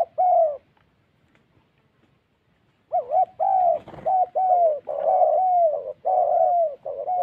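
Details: ["Vietnamese Central Highlands spotted dove, cooing in the 'thổ' style during ground-decoy trapping in wild forest; one short coo, about two seconds of quiet, then a strong rolling series of drawn-out, mellow coo notes."]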